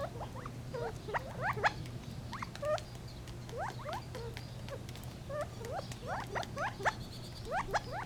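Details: Gambel's quail uttering many quick rising chirps and clucks, several in overlapping bursts, with a steady low background hum.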